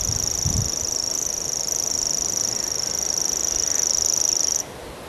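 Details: Common grasshopper warbler giving its reeling song: a continuous high, even, insect-like trill held steadily for about four and a half seconds before stopping abruptly, with faint low background rumble.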